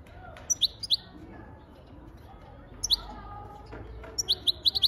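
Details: European goldfinch singing: sparse, sharp high chirps in short clusters, a pair early on, then a single note, and a quicker run of five near the end, over a low background hum.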